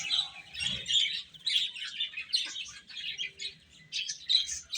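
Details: Several young chicks chirp as they eat, giving bright, piercing peeps in uneven groups, with brief dips between bursts and faint low rustling underneath.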